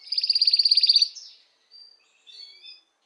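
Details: Canary song meant to stimulate females for mating: a fast buzzy trill of bright repeated notes lasting about one second, followed by two short, faint whistled phrases after pauses.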